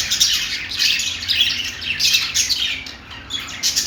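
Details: Parakeet chatter, dense scratchy chirps and squawks from a flock of Australian parrots, rising and falling in quick bursts with a brief lull toward the end.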